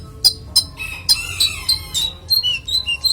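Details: Konin (Van Hasselt's sunbird) delivering a varied, clear song: a few sharp high ticks, then a run of squeaky, chattering phrases sliding up and down, ending in short high whistled notes.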